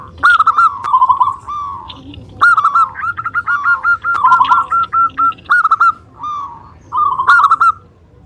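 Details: Zebra dove of the local type in full, vigorous song used to lure and provoke other doves: several stuttering phrases of rapid rolled coos, each about a second long, separated by short pauses, with faint background hiss.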